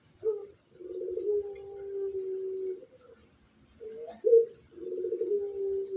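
A spotted dove gives two soft, low cooing phrases. Each opens with a short note and ends in a long, steady, hollow coo. The background is quiet.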